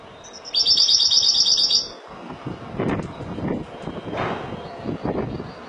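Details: Malaga-style song of a Spanish goldfinch: one rapid, high, buzzy trill lasting just over a second, followed by low rumbling, vehicle-like background noise.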